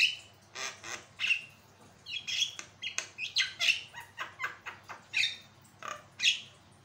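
Javan myna giving harsh, grating squawks and rasping notes in short bursts, roughly one or two per second, with a faint background hum.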